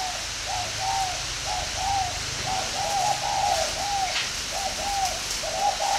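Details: Spotted dove from a breeding and selling farm in northern Vietnam, kept for its fine cooing: a steady series of soft, mellow hooting coos, each slightly rising then falling, run together over six seconds against steady hiss.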